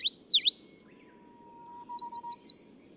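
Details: ['Male Tokara leaf warbler singing on Nakanoshima, Tokara Islands, Kagoshima, Japan, on 11 June 2017: two sharp, sweeping V-shaped notes, then a long thin steady lower whistle, followed by a short high jittery trill']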